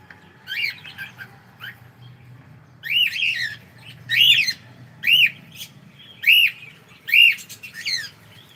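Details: Good-morning greeting from a pet cockatiel: loud ringing arched calls, rising and dropping, come in a steady series about once a second after a few softer opening notes; faint indoor hum behind.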